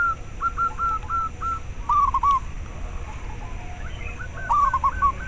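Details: Local zebra dove sounds meant to stimulate lazy or stressed caged doves into singing, and to lure wild birds. Brief clusters of short whistled coos are separated by pauses, over steady low hiss.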